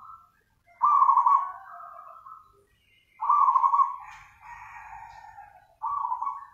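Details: Lively nganyer singing from a zebra dove, or perkutut: strong purring coo notes, each trailing into a softer sustained tone, repeated three times over several seconds, with light background rustling.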